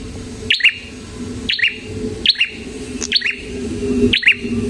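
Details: Prinia repeating sharp paired chirps, a high note then a lower buzzy one, about once a second, used to lure prinias and train songbirds, over a noticeable low electrical hum.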